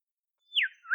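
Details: Olive whistler in Australian temperate forest: a thin level whistle bending down into a loud descending slur, then a second note curving upward, smooth and pure in tone.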